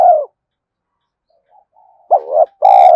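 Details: Spotted dove calling in a fast, pressing coo style used to entice wild doves; a clipped falling coo opens, then after a pause a wavering note and a loud steady drawn-out coo.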